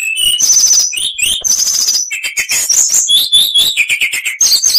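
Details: Continuous oriental magpie-robin (kacer) song as training material, packed with varied whistled phrases, high buzzy rattles and lower warbled notes, without pause.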